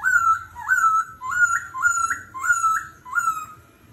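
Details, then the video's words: Laughingthrush in competitive forest-voice singing, constantly changing its voice in the style called 'kéo thuốc lào': clear whistled rising-and-falling phrases repeated about every 0.6 seconds, with a low background hum. "Khướu hót giọng rừng - hót đấu - đảo giọng liên tục - kéo thuốc lào"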